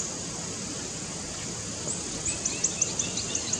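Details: Plain flowerpecker singing in the wind at low elevation in Northeast India; strong steady wind roar, then in the second half a quick series of thin, very high ticking notes about five per second, with fainter lower chirps beneath.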